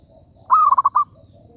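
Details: Single call of a zebra dove used to lure birds into a trap. A brief, mid-pitched cooing phrase opens with a held note and then breaks into a rapid, stuttering run of four or five clipped notes.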